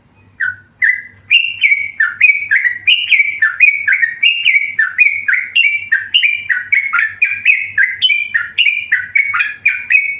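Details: Yellow-vented bulbul, tame, in vigorous song. It opens with a few high thin notes, then a steady flow of bright chirping notes stepping up and down for ten seconds. Quiet low hum underneath.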